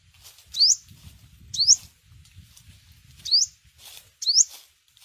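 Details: Yellow-bellied sunbird lure sound for bird season: four sharp rising chips about a second apart over a low rumbling background.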